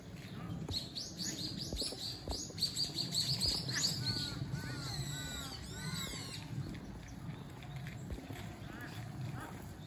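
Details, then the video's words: Common kingfisher at Zenpukuji Park, filmed on a smartphone fitted with a telephoto lens; thin, high whistled notes come in a rapid run, then softer arched notes follow over a steady low rumble. "善福寺公園 カワセミ"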